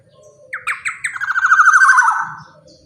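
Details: Big-bodied, actively singing black-naped oriole, kept as a lure for other orioles, gives a single loud phrase: a few sharp notes running into a rapid, rasping, nasal chatter that slides lower and fades after about two seconds, over faint low rumble.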